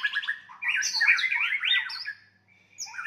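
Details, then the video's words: White-rumped shama fighting song, meant to provoke and enrage rivals: a rapid jumble of loud chirps, slurred whistles and twittering notes in a dense burst, then a brief pause and fresh high whistles. "murai batu tarung ampuh untuk menaikan emosi"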